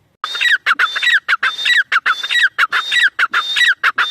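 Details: Partridge (teetar) calling loudly in a steady, harsh, ringing series of short grating notes, roughly three per second, without pause throughout.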